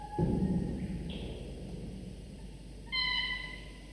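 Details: Two sleepy falcon chicks, 24–25 days old, eating prey delivered by their father for breakfast at the nest; heavy knocking and rustling at first, then a clear, sustained whining cry near the end.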